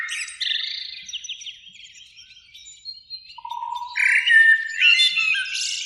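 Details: Eurasian blackbird, one of a pair singing in a springtime beech tree near a lake at evening: soft scattered twitters at first, then a low steady whistle and a loud rich fluting phrase.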